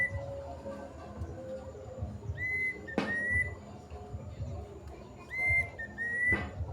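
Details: Plaintive cuckoo (kedasih) giving its long call: clear whistled note pairs, each a brief rise then a level tone, in two bursts about three seconds apart, with a couple of sharp knocks and low background rumble.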